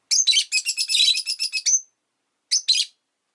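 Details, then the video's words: Relaxed afternoon chatter of a pet rosy-faced lovebird: a rapid run of about a dozen scratchy, buzzy chirps ending in a thin whistle, then after a pause two more raspy notes. "Lovebird Chirping Sounds"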